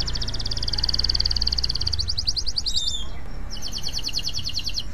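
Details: A male canary in breeding condition sings fast rattling trills, shifting between high buzzy rolls and sharp repeated notes, with a low steady hum underneath.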